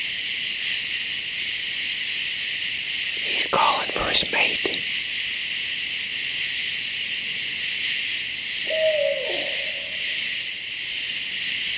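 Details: At a Hoosier National Forest campground at night, a barred owl directly over a tent calls for his mate. A single descending hoot comes late, after brief human voice sounds, under a constant shrill insect chorus.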